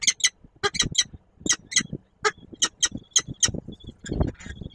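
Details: Peregrine falcon adult with young at a nest in Koszalin, Poland, recorded 10 March 2022: rapid sharp, high-pitched chips and squeaks in quick irregular bursts, with thumping and scraping noises at the nest.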